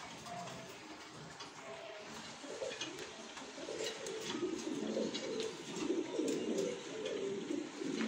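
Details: Several fancy pigeons coo together in a chorus of overlapping low, throaty coos that grow louder toward the end, over a constant low hum.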